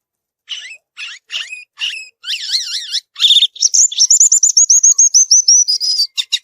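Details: Singing in the wild, a violaceous euphonia starts with spaced chip notes, moves into wavering warbles, then a fast, even series of high repeated notes, about three per second.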